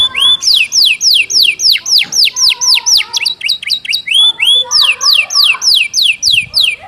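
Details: Canary singing a fast, dense song learned from the gelatik batu, the style called isian gelatik batu speed rapat. Loud whistled notes sweep downward and repeat about three times a second over a softer low warble.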